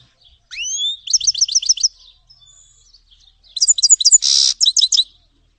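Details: A Grey-headed goldfinch opens with a sweeping rising whistle, then a rapid trill of repeated chirps; after a quiet stretch of soft twitters, another burst of chirps and a brief buzzy note follow.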